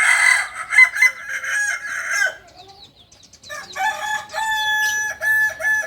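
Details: Kukuak balenggek rooster from Solok, West Sumatra: a bright, ringing crow, a short pause, then a second phrase of clear, held, stepped notes.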